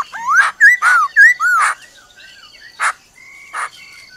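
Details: Black-throated laughingthrush singing in the forest style: clear slurred whistles that rise then fall, run into loud harsh rasping bursts, followed by two more spaced harsh notes over a faint steady high tone.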